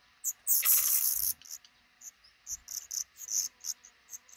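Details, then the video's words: Black redstarts at a nest tucked under a roof over a front door, five chicks hatching; a loud, hissing high burst lasting under a second, followed by a run of short, sharp high-pitched peeps. "Black Redstart nest hatching over our frontdoor"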